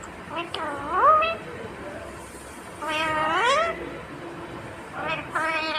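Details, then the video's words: Talking Indian ringneck parrot utters three drawn-out harmonic phrases that climb in pitch, spaced roughly two seconds apart over a faint room background. "Natural Sound of Talking Ringneck Parrot"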